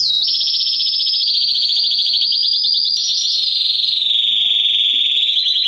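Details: Mosaic canary male song meant to stimulate females for mating and teach chicks: a long, steady rolling trill held high, shifting pitch slightly downward in stages, with a faint low hum underneath.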